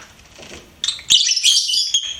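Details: Shrill rapid chattering from a pet lovebird, a loud high-pitched twittering burst following a quieter start.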